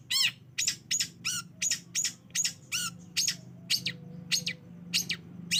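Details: Long-tailed shrike call used as a lure to make a quiet bird respond and sing: a quick run of sharp, clipped notes roughly twice a second, some with arched ringing tones, over a faint low hum.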